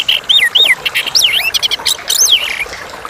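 A Chestnut-capped thrush sings a rapid, varied run of clear, high slurred whistles, rising and falling, mixed with short buzzy chips.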